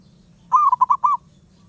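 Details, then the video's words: Single phrase from a wild zebra dove that keeps singing, five rapid, bubbling coo notes packed into under a second, with quiet low rumble behind. "Burung perkutut Liar gak mau diam"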